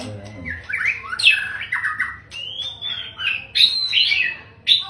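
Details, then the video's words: A long-tailed male white-rumped shama sings a rich run of clear whistles, slurred glides and harsh squawky notes, varied phrases one after another, with a faint low hum behind. "CHIM CHÍCH CHÒE BỐ ĐUÔI DÀI HÓT HAY"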